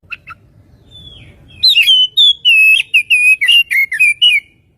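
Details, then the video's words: Oriental magpie-robin song used as a lure to prompt other birds to start singing quickly; after a near-silent start with two faint chirps, a rapid series of loud, clear whistled notes, sometimes sliding down in pitch, runs for about three seconds. "pancingan suara burung Kacer biar cepat berbunyi"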